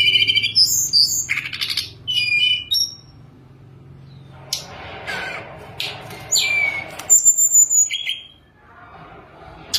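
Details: Sunda robin singing on its perch while kept in a cage. Bursts of whistles and rasping notes come in clusters, with quieter gaps of soft rustling between them.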